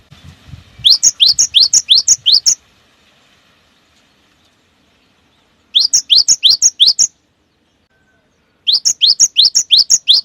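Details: Three separate bursts of rapid rising whistles, each around ten notes alternating in pitch, from a cinereous tit song used to make other birds of its kind start singing; quiet between the bursts.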